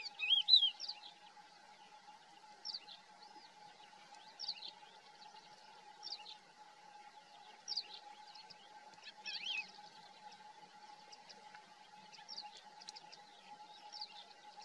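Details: Thekla's lark calling in the Hoces del Río Duratón gorge; short, thin, high chirps and brief twittering notes come in scattered bursts every second or two, loudest at the start, over a steady low electrical hum.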